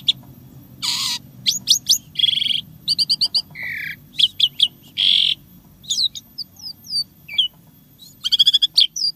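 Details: Asian pied starling in energetic 'isian tembakan' song: harsh broadband squawks, rapid ticking trills, a lower droning note and crisp high chirps, alternating with short silences over a steady low background hum.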